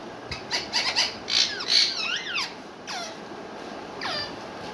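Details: Pet rose-ringed parakeet sitting on a basket, said to be talking in Urdu/Hindi; a burst of rapid raspy squawky notes, then several looping, screechy notes that sweep up and down, each separated by short pauses.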